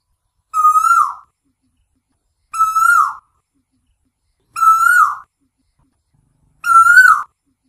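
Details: Asian koel whistle from night lure audio: a single long, smooth, slightly rising note given four times, about every two seconds, with silence between.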